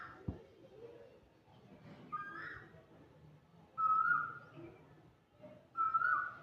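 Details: Asian koel calling in India: loud, clear whistled notes, each slightly rising then holding steady, given about every two seconds, with some fainter background sounds between them.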